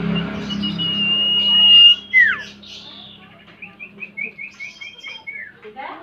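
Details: Common Iora lure song, locally sirtu or cipoh: a thin level whistle ending in a sharp downslur, then a rhythmic series of about ten short clipped notes.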